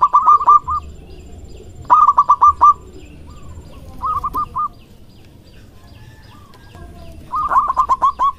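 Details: Courting male zebra dove of a local strain, loud and active, giving quick series of bubbling coo notes in four bouts, some fainter, with a brief sliding note between them.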